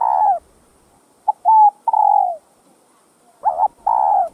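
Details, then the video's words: Cu gáy, the spotted dove, giving a full coo phrase: a quick low hoot, a flat note and a long sliding coo, followed by a paired rich coo, clean and close. "CHIM CU GÁY Giọng Hấp Dẫn ĐỦ BÀI [GÁY GỌI,THÚC,GÙ ]Kích Bổi Nhanh Nổi"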